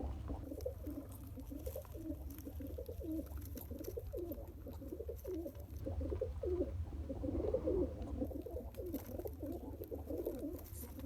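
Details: One-day-old pigeon chick being fed by its father through pumping: a steady run of low, throaty, wavering grunts and pulses that repeat rapidly with no pause, over a constant low hum indoors.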